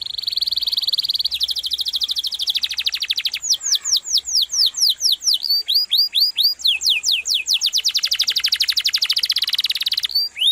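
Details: Rolling canary song, melodious and sharp: a steady high buzzy trill gives way to loud sweeping downslurred notes, then fast even trills continuing almost without break.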